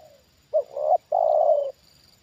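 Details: Trained spotted dove reacting to a lured wild bird on the second attempt: one loud, burry coo phrase, a short note swelling into a longer note, then a long steady coo.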